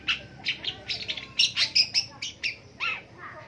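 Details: Long-tailed shrike singing in the morning in Indonesia: a rapid, irregular series of harsh, scratchy chattering notes, about three each second, with some sharper high squeaks mixed in.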